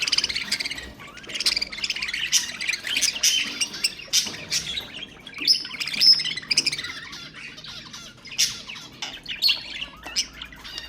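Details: Budgerigars singing as a stimulus for other birds: long unbroken run of quick twittering, clicks and squeaky whistles, busy and chattering throughout.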